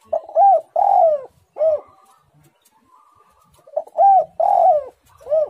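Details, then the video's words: Spotted dove cooing steadily: two three-part phrases, each a couple of short rising coos followed by a longer falling, rolling coo, separated by a quiet gap with faint whistles. "tekukur super gacor suara menekan rapat"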